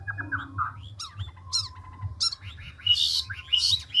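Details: Chinese hwamei of the ngũ trường style, old and wild-caught, singing with rapid voice changes: mixed short whistles, sharp upward notes and harsh noisy bursts, with a steady low hum behind.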